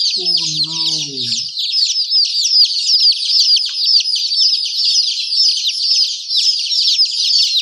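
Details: Chicks chirping in a thick, unbroken chorus of shrill, repeated peeps, with a brief lower wavering tone at the very start.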